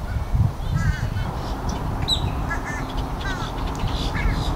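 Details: Scattered gull cries, some slurred and some clipped, repeat across a few seconds above dense low background rumble. The birds are seagulls and black-headed gulls yelling, recorded on a Rode Stereo VideoMic.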